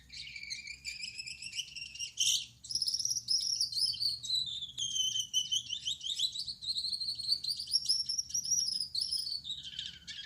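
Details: Male Gouldian finch with yellow back, red head and white breast singing at night: a continuous run of high, thin, buzzy notes with harmonics, wavering up and down over ten seconds, a sharper burst near two seconds.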